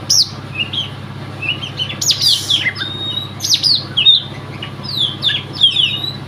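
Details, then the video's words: Oriental magpie-robin, a Riau contest bird said never to have lost a provincial audition. It pours out a continuous string of fast, sweeping whistles and chattery notes over a steady low hum. "Burung Kacer"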